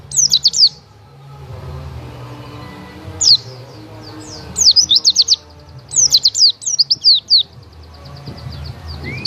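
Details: White-eye singing in rapid bursts of high, thin, sweet twittering notes, three clusters spaced a few seconds apart, with a low steady hum beneath.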